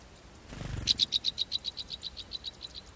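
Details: Golden-crowned sparrow nestlings in the nest, fed by the female: a rapid series of high, thin chips, about four per second, steady in pitch, following a brief low rustle or thump.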